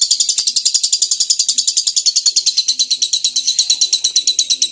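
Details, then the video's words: Lovebird giving an extended ngekek trill, a continuous run of quick, high, buzzy chattering pulses at a steady fast rhythm, with faint low background noise. "SUARA BURUNG Lovebird Gacor Ngekek Panjang !"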